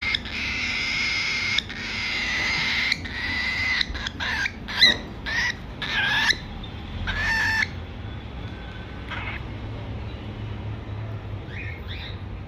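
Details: Cockatiel; begging call; chick begging for food while being hand-fed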